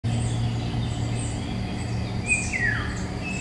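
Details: Eurasian golden oriole singing in woodland in May 2021, filmed on a Nikon Coolpix P1000: a single fluty whistle slides downward late in the clip, over a steady low hum and faint high chirps from other birds.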